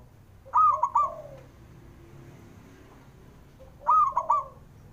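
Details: Calling male zebra dove, used to stir lazy doves into voice: two loud, crisp three-part coos roughly 3.3 seconds apart, each with a short falling tail, over a soft low background murmur.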